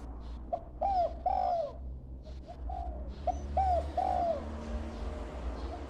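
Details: Young dove still learning its call: soft, rounded coos in pairs, the second note longer and drawn out, two phrases about three seconds apart over a constant low droning hum.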